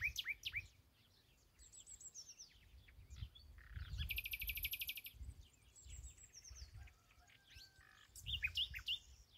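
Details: Common nightingale singing its heart out in an ash tree beside a new home: varied phrases of slurred whistled notes, a rapid high rattling burst, then repeated buzzy notes and quick chirps, over a soft low rumble.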